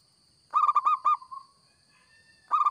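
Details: Local zebra dove in lively song for luring: one phrase of quick, rolling, throaty coos tapering into quieter trailing notes, followed by the start of the next burst, against a constant high electronic tone.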